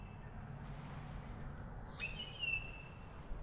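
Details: A Pied Butcherbird, likely singing from park trees at coastal Wellington Point near Brisbane, Queensland, at low tide, gives a faint high note, then a clear, fluty, far-carrying level whistle lasting under a second, over a steady low rumble of wind or distant traffic.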